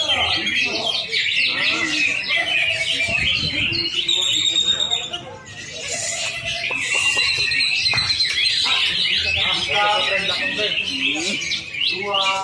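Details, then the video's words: Greater green leafbird singing in a simulated singing contest: a dense, continuous run of high chattering, squeaky notes and whistled phrases, with people talking underneath throughout. "simulasi lomba kicauan cucak ijo dengan mental yang kuat"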